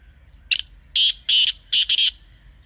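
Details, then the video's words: Harsh, scratchy call of a wild Pakistani black francolin: short lead-in rasp and four loud grating bursts, the last two closely paired, recorded in a natural environment. "Real Kala Teetar Sound 2026 | Best Teetar Voice for Hunting | Original Bird Call"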